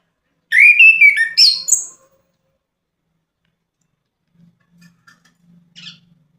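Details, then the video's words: Orange-headed thrush singing a sweet, rich phrase of rapid warbled and whistled notes lasting about a second and a half, then near silence with faint low knocks. "kicauan merdu burung Anis kembang"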